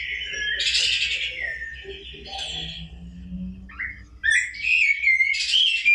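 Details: Rufous-bellied thrush (sabiá-laranjeira) warbling a run of bright phrases, some rough and some clear and whistled, over a low steady hum.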